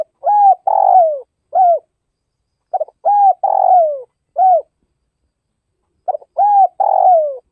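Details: Northwestern Vietnam spotted dove cooing: a low, mellow phrase of a quick stutter, an arched coo, a long descending trembling coo and a closing note, repeated three times roughly every three seconds with silence between.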